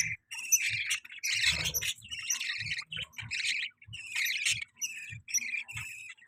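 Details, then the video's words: Pet budgie giving chattering chirps: quick clusters of high, squeaky tweets, roughly one burst per second, accompanied by light low thumps in between. "Budgie Chirping Sounds"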